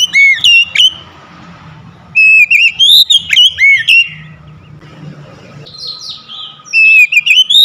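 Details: Home-kept Oriental magpie-robin delivering three bursts of bright whistled song, with quick rising and falling notes and short chattering elements, over a low steady hum.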